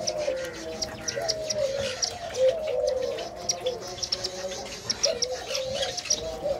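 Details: Spotted dove, a father feeding its chick, gives soft, low, wavering cooing and gurgling notes in uneven bursts, with thin high chirps from small birds behind.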